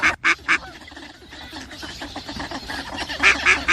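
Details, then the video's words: Mallard, a migratory duck, giving a few loud harsh quacks at the start and again near the end, with softer nasal calls in between over a busy background of other waterfowl. "صوت البط الخضارى Anas platyrtynchos"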